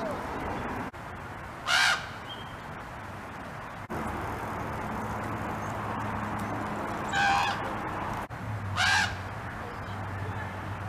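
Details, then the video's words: Common raven, juvenile calling to raven siblings nearby: three harsh, rasping calls, each under half a second and spaced irregularly, over a steady low background hiss. "Raven Calling Screams"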